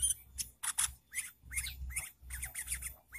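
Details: Sooty-headed bulbul lure sound for trapping, a chatty varied song with fill-ins: quick chirps and short rising and falling warbled notes in uneven bursts, mixed with sharp clicks and a steady low hum.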